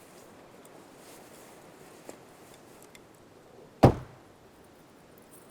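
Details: Quiet background hiss with a few soft ticks, broken by one sharp, loud thump near the four-second mark, with no animal voices.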